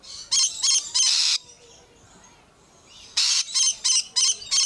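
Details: Lorikeets at Lion Country Safari in Florida, seemingly fighting or disagreeing, give harsh, grating squawks in short bursts, three then five in quick succession, separated by a brief quiet gap.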